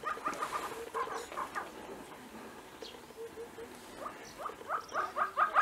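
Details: Tibetan snowcock, a feisty male strutting around; a rapid run of repeated clucking and chattering notes in bursts, with short whistled tones near the start and end of the series.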